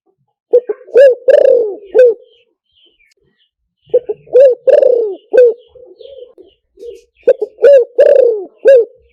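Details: Cooing of a spotted dove, a recording meant to lure birds through a speaker: three phrases spaced about three to four seconds apart, each of short clipped notes, a long rough descending coo and an ending coo, with soft murmurs between.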